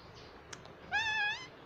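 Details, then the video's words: Talking pet parrot says "mummy": a single clear, harmonic utterance of about half a second, level and slightly falling, over a soft steady background hiss. "parrot talking everything"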